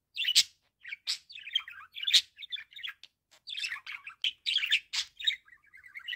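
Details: Pet budgerigar giving its calling sound: rapid chattering of scratchy chirps and sharp clicks, broken by short silences, ending in a soft rippling warble.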